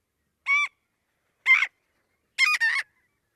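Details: A Marbled Godwit, a very vocal marsh bird that alerts everyone nearby to an intruder's presence, gives loud, nasal, harsh calls about once a second, the last one doubled, like a shrill squawking "god-wit".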